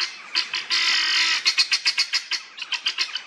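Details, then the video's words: A group of helmeted guineafowl in an old churchyard in Northamptonshire, England, gives a long harsh rasp, then a rapid run of grating, rhythmic squawks, about four per second. "Helmeted Guineafowl | Numida meleagris"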